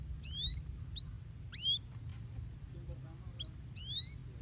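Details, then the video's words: Canary song meant to stimulate other birds to sing: a few separate high upward-slurred whistles with short pauses between them, a soft faint note in the middle, and a steady low hum underneath. "Canaries work well to stimulate the sound of the bird material"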